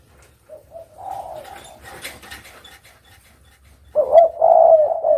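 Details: A few quiet, short coo notes and faint rustling noise, then a sudden loud spotted dove coo phrase with wavering, throaty notes fills the final second and a half.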